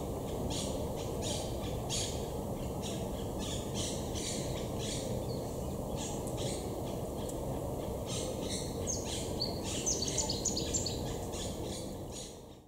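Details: Feral monk parakeets in Estepona, southern Spain, October 2021, courting and building their large communal nests high in trees; a long, continuous run of harsh rasping squawks, roughly three per second, with thinner chirps late on, over constant background rumble.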